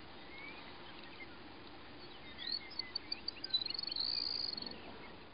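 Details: A singing male Baird's Sparrow on its territory in North Dakota gives a few thin, high tinkling notes that run into a fast, slightly lower trill lasting about a second, over soft background hiss.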